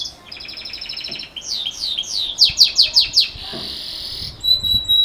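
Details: Belgian canary singing in the bell ('campainha') style, played for young birds: a soft fast trill, slurred descending notes, five loud ringing bell-like strokes, then a thin high sustained trill.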